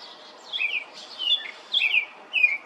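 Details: Melodious robin song heard as a few high, thin, liquid phrases of sliding and trilled notes, separated by short pauses.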